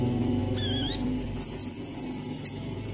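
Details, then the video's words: [['Kalimantan brown-throated sunbird: a short wavering whistle, then a rapid trill of about ten high, thin notes repeated evenly, against a low humming background.']] "KICAUAN KOLIBRI KELAPA KALIMANTAN"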